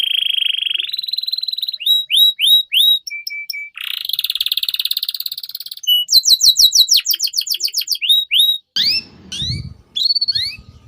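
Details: Canary song to train young canaries: rolling trills, repeated upslurred whistles, short flat pips, a buzzy trill and fast chip runs, with some low rumbling noise near the end.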